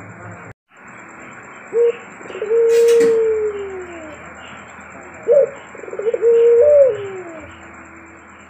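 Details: Barbary dove of the 'pelung' type cooing twice. Each call starts with a brief clipped note, followed by a long, steady coo that glides downward. A short click sounds between the calls, over faint low hum.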